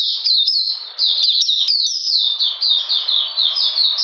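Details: Oriental magpie-robin, 13 June 2020, cold and rainy: brisk high chirps that rise then fall, opening with sharp notes before settling into evenly spaced downslurred whistles.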